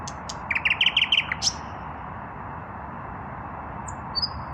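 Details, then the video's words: Common nightingale male, still without a female, singing in the evening: high ticks, then a fast stuttering run of repeated notes and a bright squeaky note, followed by quiet and one faint whistle near the end. "Наслаждаюсь вечерней песней соловья"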